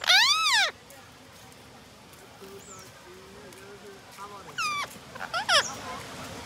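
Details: Loud, grating rose-ringed parakeet screech at the start, then a quiet stretch with a faint low voice, followed by several shorter harsh squawks near the end.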